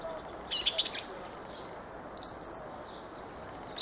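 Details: Fieldfare singing: clusters of sharp, very high squeaks and twittering notes in two quick bursts about one and a half seconds apart, over a steady faint hiss.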